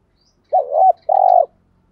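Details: ["Lure recording of a spotted dove giving a 'thúc gù' coo to provoke wild birds to sing back. One two-part phrase: a dipping, wavering opening note, then a sustained pulsing coo."]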